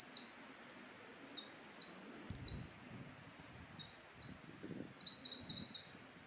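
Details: Eurasian wren, wild bird, singing a fast, high tinkling song of rapid trills and sweeping notes, loud and continuous for about six seconds, with faint low background rumble.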